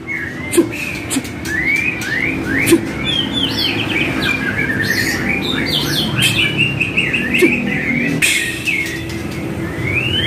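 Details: White-rumped shama song for training caged birds to respond: long run of rapid varied whistles, upslurs and chatter, with occasional sharp clicks over a constant low hum.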